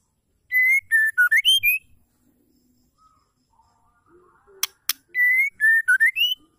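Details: Female white-rumped shama calling to stir males into song. Two bursts of bright whistled notes, level at first, then dipping and rising to a higher finish, separated by a quiet stretch and a pair of sharp snapping clicks.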